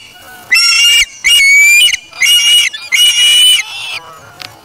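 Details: At the Charlo nest on August 3, 2017, an osprey chick that took a fish from its parent gives four loud, drawn-out whistled calls, each slurring slightly upward.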